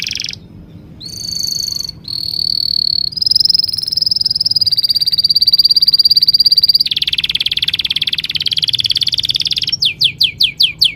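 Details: Bird chirping in a long song of sustained buzzy trills shifting between pitches, some rolling and some flat, closing with a rapid series of sharp downward-sweeping notes.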